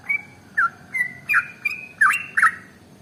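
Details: Trucukan (sooty-headed bulbul) song used to coax other birds to sing: separate whistled notes, some level, some with bubbly flicks, spaced about half a second apart over a faint steady hum.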